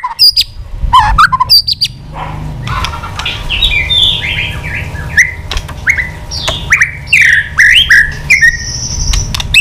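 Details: Excited old wild-caught white-rumped shama, tail flicking, singing many varied phrases to provoke rivals: scattered clicks and short notes, then a series of descending slurred whistles, over a low background rumble.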